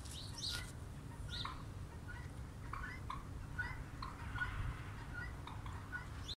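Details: Turkeys during their early-spring courtship ritual, male displaying to a receptive female; faint short calls, some chirped and some yelping, come at irregular intervals over a steady low rumble.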